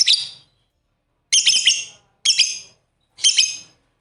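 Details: Pet lovebirds, a pair interacting playfully, make four loud, harsh, buzzy chirps, each about half a second long, with roughly one second between them.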